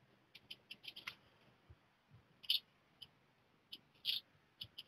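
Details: Black redstart chicks fledging from the nest one after another: sparse short high chirps and clicks, scattered irregularly with quiet gaps, a louder double note near the middle and another toward the end.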